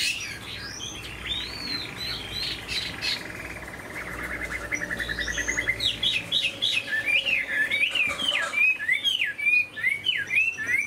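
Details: Captive Chinese hwamei, large-bodied with a fine voice. A few scattered whistles and a murmur of background noise open the clip, then it breaks into a fast stream of loud, looping whistled notes that swoop up and down.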